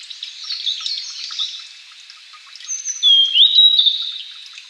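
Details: Blue-and-white flycatcher in Japan, ranked among the country's three famed songbirds, singing during courtship display toward a female: a soft high murmur, then a clear, sliding whistled phrase near the end over faint dripping, rain-like background noise.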